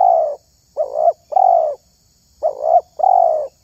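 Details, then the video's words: Spotted dove, or terkukur, with a call prized for luring wild doves: the end of one long coo followed by two soft two-note phrases, each a wavering hoot then a sustained rounded coo. "SUARA TERKUKUR INI SANGAT ISTIMEWA"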